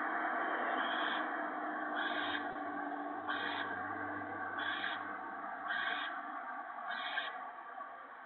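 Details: Owlets and adult owl during an evening gopher feeding, March 28, 2017: six harsh, breathy screech-hisses in a fairly even series about every 1.2 seconds, over a loud steady hiss of background noise.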